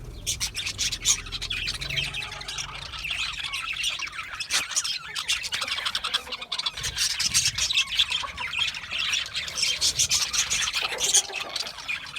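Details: Budgerigars in a constant group chatter of scratchy chirps and squawks, dense and unbroken, with a faint low hum underneath.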